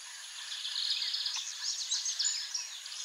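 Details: Rusty-collared seedeater (Sporophila collaris), a wild bird, sings a quick, varied twitter of high chirps and slurred whistles over a steady background hiss.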